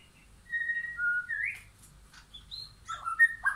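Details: White-rumped shama, wild and caged, in a backyard forest; varied whistled notes step down, then sweep upward, followed by scattered short whistles and warbled phrases.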